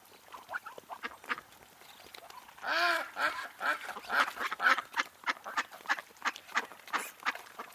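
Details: A wild duck gives scattered soft calls, then one long, loud, drawn-out quack, followed by a rapid series of short, clipped quacks repeated steadily until the end.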